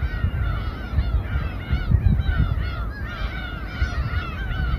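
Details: Gulls calling in chorus over a boat at Samgilpo Port, Seosan, South Chungcheong, Korea, where raw fish is sliced on deck: many overlapping nasal, arched cries, constant and dense, over a heavy low engine rumble.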